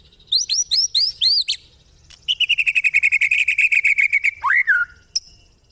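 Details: White-rumped shama in the cililin style of long rough chattering song; a few high, hooked whistled notes lead into a fast run of about twenty evenly repeated harsh notes, ending in a falling slurred whistle.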